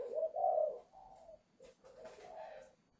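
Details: Young spotted dove breaking into its voice at a Vietnamese dove farm near Ba Vì, Hanoi, set to go to a buyer on 10 November; a loud full coo, a softer follow-up, then a fainter wavering phrase with light clicks.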